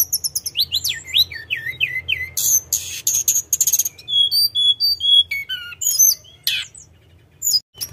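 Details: Sunda robin in rolling song, starting with zigzag chirps, then harsh buzzy bursts, scattered clear whistles at varied pitches and a few sharp high notes, tapering to quiet at the end.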